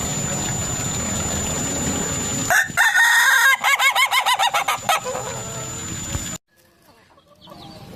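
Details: Laughing crow of an Ayam Ketawa rooster, heard after a stretch of steady hiss: a rapid, even burst of staccato notes lasting about two seconds, like chuckling. The recording then cuts to near silence.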